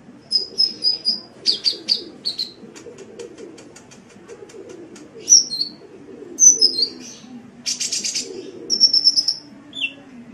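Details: Sunbird (burung kolibri) giving a lively song for Indonesian songbird training: repeated high chirps, sweeping whistles, a fast ticking series and a brief raspy burst, all high-pitched.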